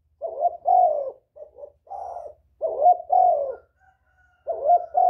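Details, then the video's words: Spotted dove cooing to lure other doves: steady low, mellow phrases of three to four coos, some notes short and soft, others long and gently falling, repeated with short pauses. "Tiếng chim cu gáy kích bổi mau nổi, cu gáy kích mồi hay"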